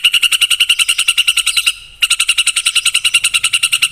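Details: White-rumped shama song played as a lure for a pet bird: a fast, steady trill of sharp repeated notes, about three per second... rather many, pausing briefly midway then resuming.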